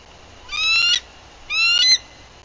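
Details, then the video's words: Close, loud pair of shrill, harmonic-rich whistled calls with quick stuttering notes, given by an on-guard female bald eagle at her nest in Bluff City, Tennessee, 14 April 2023, from a livecam. "Frances Arrives with Lengthy Alert Vocals"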